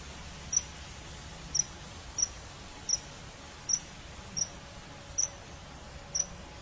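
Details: A common kingfisher out hunting fish gives a series of eight brief, piercing high notes, fairly evenly spaced about every seven-tenths of a second, with quiet ambient noise behind.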